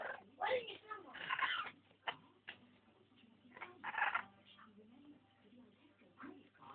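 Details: Grey parrot kept near green amazon parrots, known for swearing; short squawky, speech-like phrases in bursts of under a second with gaps, harsh bright tones and a low background hum.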